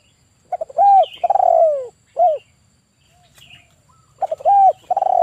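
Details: Decoy male spotted dove of the 'kuk 1' type calling rapid stuttering notes into a rounded coo, a long descending coo and a short arched note, then repeating; faint thin chirps from other birds between phrases.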